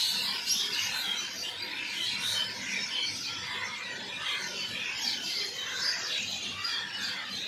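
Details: Crowded bird chatter outdoors, a steady wash of thin high chirps with brief brighter whistles standing out now and then.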